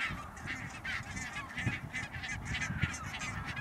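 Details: Barnacle geese recorded 16 March 2009 in Schouwen-Duiveland and Goeree-Overflakkee, Netherlands: clear repeated high yapping barks, roughly several per second from a calling flock, over a low rumbling background.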